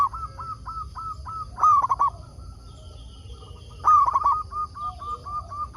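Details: Zebra dove, local type, used to lure others into replying: rhythmic short coos repeating about four per second, interrupted twice by a loud rolling, trilled cooing phrase.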